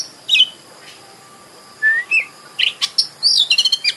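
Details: Kacer, the Oriental magpie-robin, singing a lure song used to provoke song and tail-spreading: a scattered mix of rich whistled phrases and short rising notes, ending in quick chattering chips, with a thin steady background tone.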